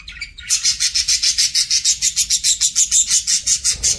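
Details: Parakeet during a meal producing a fast, steady train of buzzy, scratchy pulses, about three each second, following a brief softer call at the start.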